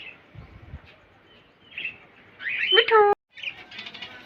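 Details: Green parrot kept as a pet, mostly quiet murmurs at first, then a sudden burst of loud, buzzy, harmonic speech-like sound lasting under a second, a short pause, and faint chatter after.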